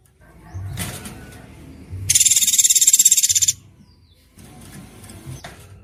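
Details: Murai batu tutoring filler, shot-style isian tembakan: a short, dense burst of rapid, buzzy high-pitched notes, set between stretches of low rumbling background noise.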